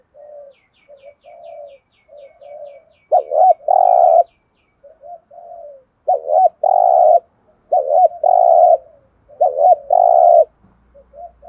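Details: Spotted dove giving the thúc gù style of cooing: soft low coos, then a loud run of phrases, each a quick wavering double note and a long steady hum, repeated about every one and a half seconds; faint high chirps early on.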